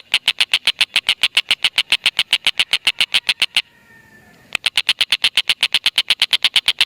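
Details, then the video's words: Tengkek buto, an Indonesian native bird, used to prompt lovebirds to chatter: rapid sharp notes for several seconds, a short quiet gap with faint background sounds, then the same quick chatter again. "Tengkek Buto Gacor Masteran Burung Lovebird"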